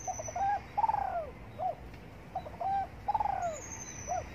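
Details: Spotted dove cooing while sunbathing in the morning: two phrases about two seconds apart, each with short soft notes, a long downslurred coo and a brief final note; a thin high whistle from another bird at the start and end.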